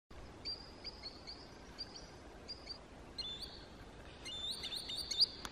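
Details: Green sandpiper (Tringa ochropus) in Kaluga region, Russia, swimming, wading, hunting and flying: thin, high whistled notes in short runs, growing louder and quicker toward the end, over a soft background hiss.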